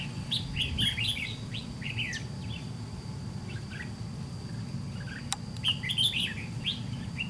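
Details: Red-whiskered bulbul, white-cheeked, in a trap fight with a decoy: bursts of bright warbled notes early and late with a quieter gap in the middle, a single click, and low rumbling noise throughout.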